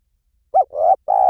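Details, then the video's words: Spotted dove calling in the 'liu tan' style meant to lure a trained dove into calling back: a quick rounded note, a rising swell and the start of a long steady coo, cut off at the end. "สำหรับเปิดล่อนกเขาใหญ่ฝึกต่อ ให้ขันโต้ตามเสียงนกเขาใหญ่หลิ่วตัน"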